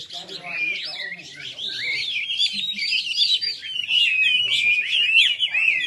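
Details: Red-whiskered bulbul singing at a bird club competition in Long Bien, Vietnam, 27 April 2014: a rapid jumble of bright warbled phrases, several birds overlapping, notes sliding up and down continuously with faint low murmurs beneath.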